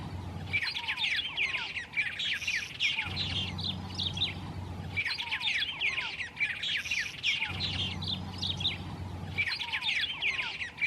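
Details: White-rumped tanager singing in the wild: lively chorus of rapid rising and falling chirps and whistles, a phrase looping about every two and a half seconds, with a low humming drone in alternate stretches.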